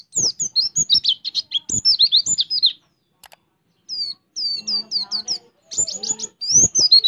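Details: Oriental white-eye song in the rapid 'roll tembak' style, mixed with ciblek-style notes; bursts of fast high twittering with rising and falling whistled slurs, a pause near the middle, then repeated sweeping notes.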